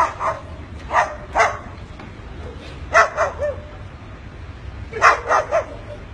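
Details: A pet bird barking like a dog: short, harsh barks in pairs and triplets, spaced by quiet gaps of a second or more.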